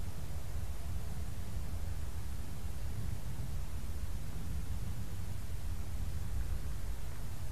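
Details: Only steady hiss and low rumbling wind noise are heard, with no animal calling.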